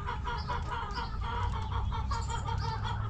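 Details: Backyard hens in a coop, clucking in a dense, continuous run of short, rapid, throaty notes with small birds chirping faintly overhead.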